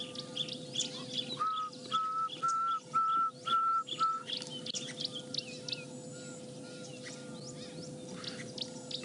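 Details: A Pearl-spotted Owlet calling in the distance on a morning game drive in South African woodland gives a series of clear, level whistled notes, about two a second, fading to softer repeats; other small birds chirp over a steady engine hum.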